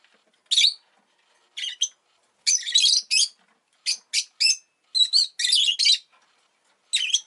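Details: Rosy-faced lovebird at home after laying an egg, chattering busily with dense, shrill, grating chirps, some run together into scratchy bursts, nearly continuous through the clip.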